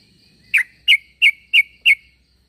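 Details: Sooty-headed bulbul calling to draw other bulbuls into answering: five short, sharp, chirping notes spaced about a third of a second apart, over a faint steady high hum.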